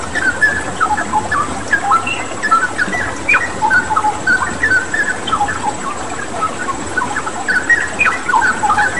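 A Straw-headed Bulbul pours out rich, bubbling, mid-pitched warbled phrases almost without pause, over a steady rush of running water.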